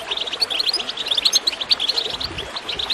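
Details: Goldfinch song with water gurgling, intended to prompt other birds to sing: a rapid jumble of sharp, sweet, high chirps with tinkling accents, steady throughout.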